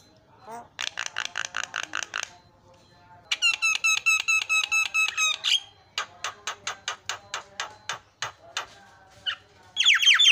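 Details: Javan myna song meant to make other mynas agitated: bursts of quick harsh clicking pulses alternate with a long, loud buzzy rattle and a final rasping squawk.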